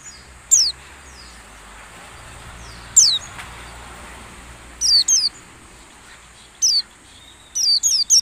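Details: Lure sound of a white-eye for training caged birds at dewing time: scattered single and paired high chirps that sweep steeply downward, spaced a second or two apart, over a steady hiss of background noise.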